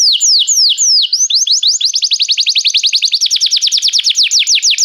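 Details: Canary singing restlessly: a few slow looping whistled notes give way to a fast, even trill of sharp descending whistles, about three or four per second, loud and clean.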